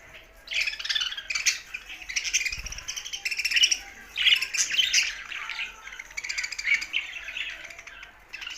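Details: Happy budgie singing: a steady stream of high, scratchy chirps, squeaks and chattering warbles, rising and falling in loudness, with one brief low thump.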